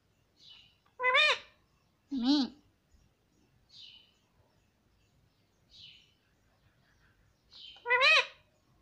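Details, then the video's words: Ringneck parrot, presented as a pet that talks and says 'mummy', utters loud rising-falling harmonic calls at intervals, with softer high squeaks between them. "Cute Ringneck Parrot Talking Mummy"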